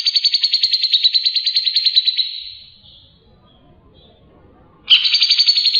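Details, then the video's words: Singing Grey-cheeked bulbul, or cucak jenggot, recorded as a tutor track for other birds: a rapid pulsed trill fades out, then after roughly two and a half quiet seconds a new buzzy trill bursts in. "Suara Burung cucak jenggot gacor"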